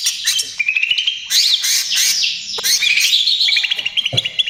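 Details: Cucak ijo, the greater green leafbird, singing loud trotol gacor song for luring and calming other birds: rich sustained warbling with bright whistles, rapid chips and short rattling bursts.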